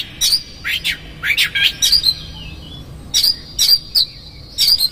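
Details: Energetic magpie-robin song used as a lure to make a rival agitated: quick downward-slurred notes in pairs, then sharp chirps over a held high whistle, repeated in short bursts.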